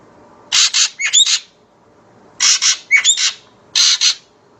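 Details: Calls of a common green magpie: harsh double squawks each trailed by a brief upslurred whistle, three rounds in quick succession, with a faint low hum behind.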